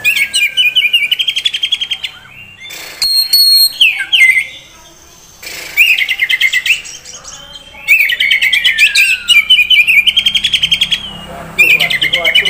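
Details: Oriental magpie-robin, a prospect bird offered by a dealer in Kisaran, singing loud bursts of rapid chattering trills and slurred whistles, broken by short pauses and a few sharp, clicking notes.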